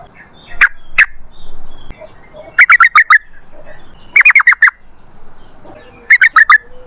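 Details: Lure song of a yellow-vented bulbul: two isolated notes, then short bursts of four or five quick bubbly notes separated by quiet gaps, softer than the rest.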